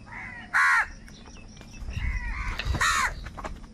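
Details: Crows fighting for food: two loud, harsh, buzzing caws about two seconds apart stand out over softer cawing and faint low knocks.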